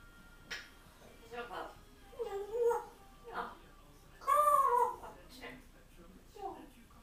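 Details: One of two pet grey parrots, left alone at home in their room, chatters in short, speech-like bursts with bending, whistled glides and one louder warbling phrase near the middle.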